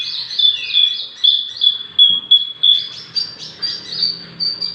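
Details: Six-month-old Javan bush lark singing vigorously, suited to tutoring or prompting other birds. Rapid high chirps, with a thin, level whistled thread beneath them early on, then a shift to slightly higher, clipped notes.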